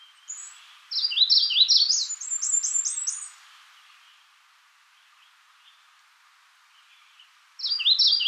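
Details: Magnolia warbler song: a run of quick, high, downslurred notes rising into a higher series, then silence and one more phrase beginning at the end.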